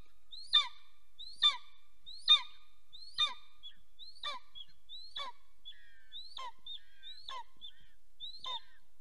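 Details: At a golden eagle nest in Soomaa National Park, southwestern Estonia, during mating on 17 March 2024 at 10:47 am; ten rhythmic high yelps, loud at first then fading, with softer wavering notes slipped between later cries.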